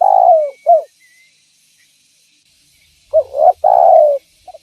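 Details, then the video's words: Lively spotted dove cooing for luring other doves: a long falling coo and a short hoot, silence, then a stuttering start leading into a loud extended rolling coo. "Suara Burung Derkuku Gacor Cocok Untuk Pancingan Dan Pikat Tekukur"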